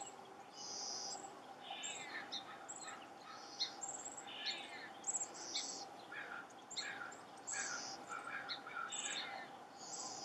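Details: A chestnut-backed chickadee, excavating a potential nest hole, gives high, thin, buzzy chips and scratchy notes in quick irregular bursts over a steady low background hum.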